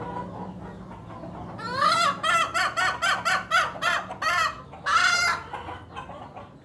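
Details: Odd, unique-sounding hen call. Quiet at first with low background hum, then a burst of short, nasal, arching notes repeated quickly about three times a second, ending in a longer, harsher note.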